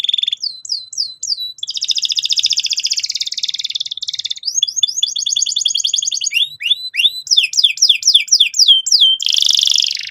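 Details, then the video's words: A canary's lure song to provoke young birds into rolling song. Quick whistled sweeps alternate with long, dense buzzing trills, ending in a harsh, noisy burst. "PANCINGAN BURUNG KENARI GACOR SEKETIKA BIKIN PAUD NGEROL NGK MAU DIAM"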